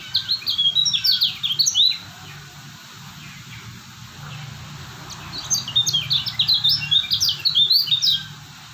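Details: Steady-singing white-eye known locally as kecial kuning, from Lombok: a fast, high chattering phrase of tight slurred chirps, a pause of about three seconds, then another similar phrase nearly three seconds long.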